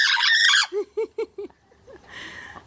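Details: Harry, a pet blue-and-gold macaw that talks and laughs, gives a harsh, raspy squawk, then four quick, evenly spaced "ha-ha" notes of imitated laughter, fading into quiet room noise.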